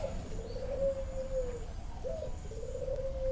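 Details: Zebra dove heard live at a bird farm in Chana, Thailand, cooing in soft, even tones with a few quick staccato notes in between, over a low background rumble.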